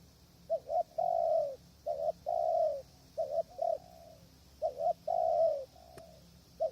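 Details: Decoy spotted dove at a hide in windy weather, wild doves far away: repeated phrases of clipped double coos and long, slightly falling coos, a sharp click near the end.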